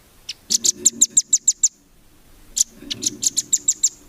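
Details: Velvet-fronted nuthatch recorded as a training song for competition songbirds: two bursts of sharp, high chips repeated rapidly, about eight to ten per burst, separated by a brief pause, with a faint low hum beneath.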